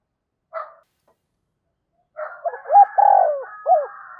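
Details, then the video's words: Spotted dove decoy bird calling. A single brief note is followed by a pause, then one cooing phrase of short hooked notes, a long rolling coo and a clipped final note, with a faint raspy overlay. "chim cu gáy thúc và gáy gọi cực đỉnh, chim cu gay kich boi nhanh noi"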